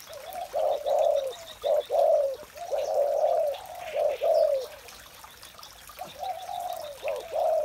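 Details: Spotted dove calling in the morning: soft, low hooting coos in short rounded phrases, several overlapping and uneven, with brief quiet gaps and faint chirps higher up.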